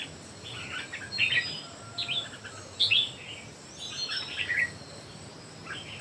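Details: Red-whiskered bulbuls in a three-bird singing contest, heard a little more distantly: short, clear whistled phrases of a few notes, spaced about a second apart, with a faint steady background hiss.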